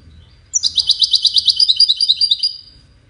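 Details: A goldfinch sings for courtship and communication, giving one fast run of bright, high-pitched chirping notes lasting about two seconds and then fading away.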